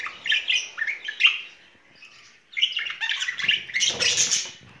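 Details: Pair of pet budgerigars showing spring courtship, a warbled scratchy chatter, a pause near two seconds, then resumed louder chattering with a harsh rustling burst near the end.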